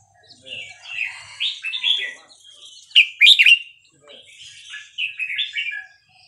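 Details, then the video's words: Red-whiskered bulbul singing a Burmese-style song of 3-4-5-6 phrases, used to teach young birds and stir up other bulbuls: bubbly, warbled mid-pitched phrases in three bursts, with a louder, sharper cluster of notes near the middle. "นกกรงหัวจุกเพลงถิ่นพม่า 3-4-5-6 เปิดสอนลูกนก ยั้วนกฟังนกคึก"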